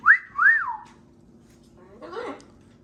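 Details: Pet macaws playing in a kitchen as a new setting for the flock: two loud, clear whistled notes that sweep up and then down, a pause, then a short rough squawk, indoors with a low hum behind.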